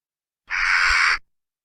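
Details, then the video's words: A Western jackdaw's single harsh, rasping alarm call, under a second, noisy and even in loudness. It was played back at nest boxes while birds saw a new person, signalling danger. "so here the jackdaws are seeing a new person and they're hearing another jackdaw shouting that there's danger"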